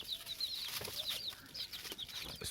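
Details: Frightened domestic chicks calling: a rapid series of high, thin peeps, each a short downward-sliding note, overlapping from several birds, mixed with soft rustling and tapping clicks.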